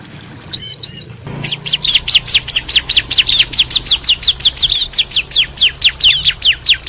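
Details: Male and female bar-winged prinias answering each other, kept to stimulate singing; two paired high whistled notes, then a fast, steady run of sharp downward-sweeping chips, about four per second, continuing through the recording.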